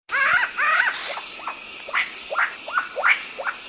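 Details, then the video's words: Black-throated laughingthrush, locally called poksay hitam, giving a series of loud slurred whistles, several rising sharply and others falling, about two per second, over a steady high hiss. "Burung poksay hitam"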